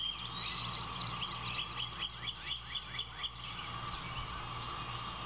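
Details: Osprey nest about 80 ft up by a salt marsh on Skidaway Island, Savannah, Georgia, 15 April 2021, with a two-day-old chick: about ten thin, high, down-slurred chirps, about four a second, over a steady low hum.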